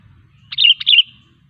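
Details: Sooty-headed bulbul, a lively singing bird used as a lure to draw other bulbuls and wild birds into singing or approaching: one short bubbly phrase of two quick warbled notes, mid-high and liquid, over a faint low hum.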